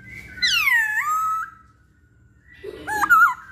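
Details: Masked laughingthrush, called poksay Hongkong, on a lure recording. One long, loud whistle sweeps steeply down and then levels off. A pause follows, then a short cluster of quieter, wavering whistled notes.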